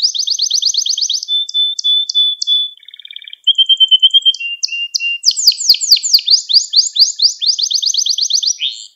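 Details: Canary song made to train young canaries: a fast trill, spaced chirps, long steady whistles, then a loud series of rapid downward-sweeping notes, clear and continuous.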